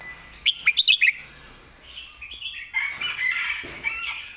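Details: Red-whiskered bulbul singing in the southern master-song style: a quick burst of bright, sharp chirps, a short pause, then a longer run of rich, bubbling warbled phrases. A thin steady high hum sits behind it.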